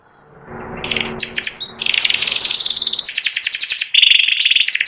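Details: After a low background rumble, a white panda canary with symmetrical markings starts singing: short chirps building into a long rapid buzzy trill, then a steadier lower rolling trill.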